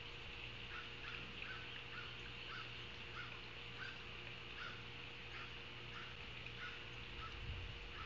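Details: Ospreys at their nest in Savannah, picked up by a live nest camera on 9 August 2023 at 16:05; faint, high chirped notes repeated roughly every half second throughout, over steady hiss and low electrical hum.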